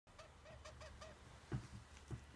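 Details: A pet parrot making unusual sounds while in an unusual posture, meaning unknown to the owner: a quick run of five soft, clucking, arched notes, about three a second, then two dull knocks in the room.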